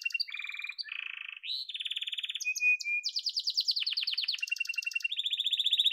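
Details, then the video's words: Domestic yellow canary song of rapidly changing tours: low buzzy rattles, a short whistle, then fast high rolls and repeated slurred notes. "Muhteşem Kanarya Sesi: Sarı Kanarya'nın Efsanevi Ötüşü"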